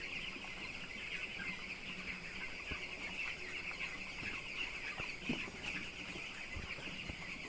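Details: Broiler chicks on a poultry farm at twelve days old, a large flock peeping continuously in a dense, high chorus of overlapping thin cheeps, with a steady low hum of farm machinery beneath.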